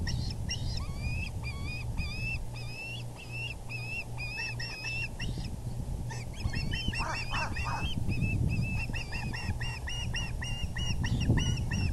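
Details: Male osprey bringing a large fish to the VGCC nest on April 6, 2020 at 6:30pm EDT: a steady patter of thin, wavering whistled chirps with a few deeper slurred notes, set against heavy low rumble.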